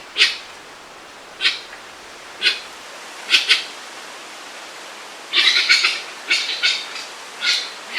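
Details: Grey-winged trumpeter in Suriname, kept domesticated as a watchdog, giving harsh, high, raspy alarm bursts about once a second, then a quick ragged cluster of calls before spaced bursts resume.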